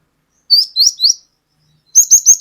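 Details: Cinereous tit (glatik batu), a lure recording meant to make birds sing freely in the long 'wucit wucit' style: three sharp, high downslurred whistles, a pause, then four quicker high notes repeated evenly. The background is otherwise quiet.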